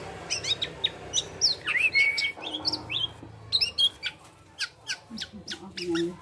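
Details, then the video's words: Male black-naped oriole singing vigorously in an unusual style, imitating other birds' calls: a varied run of sharp chirps, short whistled slurs and one drawn-out level whistle, with brief pauses between phrases. "Gocor Aneh Kepodang Emas,Bisa Menirukan Suara Burung Lain."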